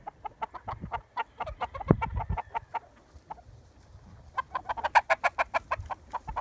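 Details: Hens cluck in quick pulsed series, a run of clucks, a pause, then a faster regular burst of about a dozen sharp notes.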